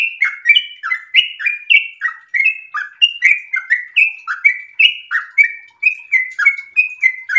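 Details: Rapid 'ropel' song of a sooty-headed bulbul in breeding condition. It is a long unbroken run of clipped, slurred whistles, some dipping and some flicking up, delivered at a steady quick pace.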